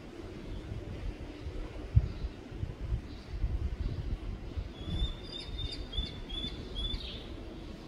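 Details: A common kestrel at its nest in Škofja Loka, Slovenia, on 30 June 2024, gives a short run of high, sharp kee-kee notes, about two a second, over a steady low rumble of traffic.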